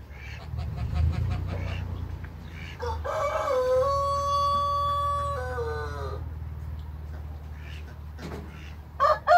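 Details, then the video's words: Light Brahma rooster in a backyard giving one long crow, a loud drawn-out note held steady for about two seconds before a falling tail, preceded by rough clucking and followed by scattered clucks, with a low hum throughout. "Rooster Crowing- BSO & LIGHT BRAHMA ROOSTERS IN THE BACKYARD"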